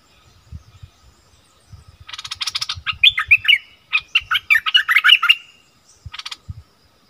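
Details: Fierce argument between wild striated bulbuls: soft low taps, then a burst of dry rattling followed by a fast string of loud, liquid, rising and falling chirps, ending with another short rattle.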